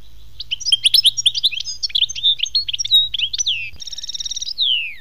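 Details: European goldfinch pouring out continuous liquid, tinkling twitters in a khmis melyana song, then a buzzy trill and a long falling whistle at the end.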